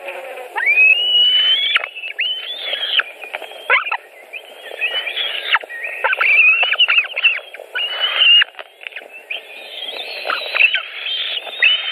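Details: A late-supper delivery at 21:05 brings a burst of calling at a white-tailed eagle nest in Latvia, July 2018. Repeated shrill, stretched squeals overlap and run almost continuously, punctuated by clicks and rustling.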